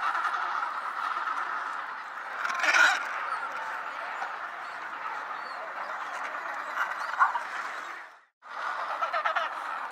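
A dense chorus of penguins fills the air with overlapping nasal, braying calls. It breaks off briefly near the end, then resumes.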